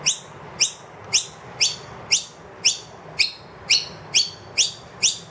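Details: Loud food-demanding calls of a wild noisy miner, accompanied by two young, inside a room after the feeder emptied. A long run of piercing upslurred notes, nearly two per second, slightly uneven in timing.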